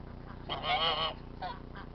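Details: Domestic geese at a farm, hostile toward visiting outsiders. One harsh, nasal honk lasts about half a second, followed by a shorter, fainter second honk. The recording is quiet, with a low hum underneath.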